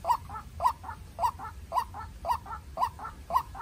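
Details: White-breasted waterhen, a young captive-raised decoy bird, calling in an intense contest with a wild bird: low throaty notes in pairs, repeated about twice a second, seven pairs in a steady rhythm.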